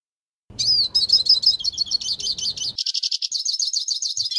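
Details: Hooded siskin singing its metallic tutoring song for young birds: after a brief silence, a long, fast stream of high, tinny chirps and slurred whistles, steady and unbroken, with a faint low rumble early on.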